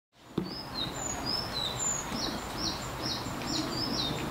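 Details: Sakhalin leaf warbler singing, unseen, in Hiroshima on 25 April 2021: thin, very high whistled notes in quick sliding pairs, repeated steadily, over a low rushing background hiss.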